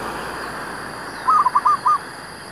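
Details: A zebra dove, recorded on a rainy morning of trapping at Sungai Mas, Bandar Mas, gives a quick run of four soft, rolling coos, low and staccato, over a steady high insect-like hiss.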